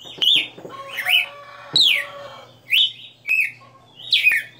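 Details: Red-cowled cardinal, an owned songbird performing its 60-note song: ringing whistled notes, some falling, some flat and buzzy, given irregularly about once a second with a low background hum.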